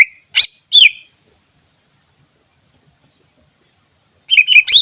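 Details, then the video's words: Greater green leafbird in the wild, a song suited as a lure: a few sharp, slurred whistles, a long silence, then a rapid jumble of twittering whistled notes. "Suara Asli Cucak Ijo Alam Liar Cocok Buat Pikat"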